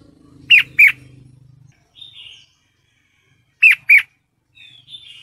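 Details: Female red-whiskered bulbul in breeding condition calling for a male: paired sharp, slurred chirps given twice, with soft thin whistles between and a low mechanical hum early on.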